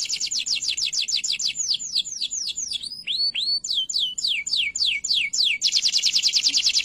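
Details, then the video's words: Canary singing as a training model for other canaries: quick descending notes, then slower looping swooped whistles, a run of falling chirps, and a final fast buzzy trill. "KENARI GACOR DOR UNTUK MASTERAN KERNARI"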